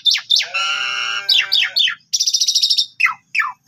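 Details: Black-winged starling lure song for eliciting a reply: sharp squeaks, a long harmonic nasal drone, descending slurred notes, a buzzy rattle and scattered down-slurred calls.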